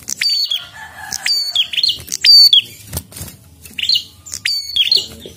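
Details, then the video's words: Energetic prinia song of piercing, repeated chirps in clusters about a second apart, each note sharp and slightly buzzy, with soft background noise between bursts. "Prenjak Gacor Ngotot"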